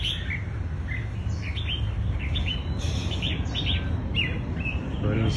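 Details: Red-whiskered bulbul showing its fighting style at a bird contest: bright, quick warbled and slurred notes, several per second, rising and falling, over a steady low rumble of background noise.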